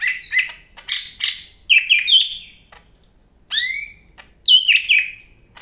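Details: Greater green leafbird from Medan in full song, delivering clusters of bright whistled notes, fast descending slurs and chattery phrases separated by short pauses.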